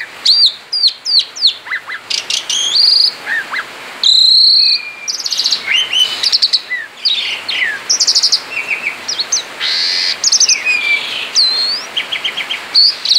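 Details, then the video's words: A male Asian pied starling sings continuously outside its cage, pouring out a long, varied song of high whistles, buzzy rattles, clicks and sweeping notes, with only brief breaks. "Ngerol di luar sangkar jalak suren jantan gacor"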